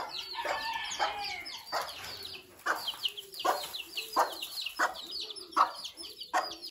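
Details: A broody hen clucks to gather her chicks and guard them from predators, giving short clucks about once a second while the chicks answer with a constant flurry of high, thin peeps.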